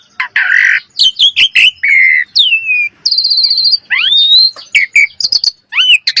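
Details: Common myna producing a harsh grating note, clicks, level and curving whistles, and a rapid high rattle, in a varied sequence.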